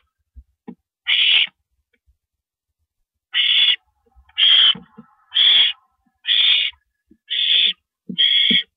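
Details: At 1:27 AM on April 9, 2012, an owl eats a rabbit; one raspy hiss, a pause of two seconds, then six rapid rasping screeches about a second apart, with light clicks.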